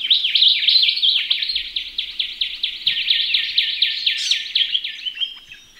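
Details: Ring-necked parrots bathing in a pond: loud, continuous chattering made of fast, repeated scratchy notes, about three a second, running steadily through the whole stretch before tailing off softer.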